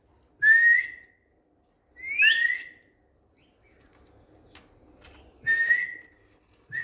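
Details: Indian green ringneck parrot kept indoors on a bed whistling: four separate notes spaced over several seconds, each a clear slurred whistle, one rising steeply, over quiet room background.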